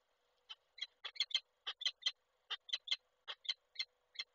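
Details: Peregrine falcons at a nest site in Koszalin, Poland, on 29 November 2023, as the male arrives with a prey gift that the female does not accept. Harsh, hoarse notes repeat about once per second, sometimes in quick doubles, loud and close against quiet background.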